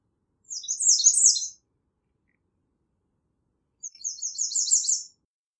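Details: Two high-pitched phrases from a singing American redstart, each a quick series of thin repeated downslurred notes, about three seconds apart.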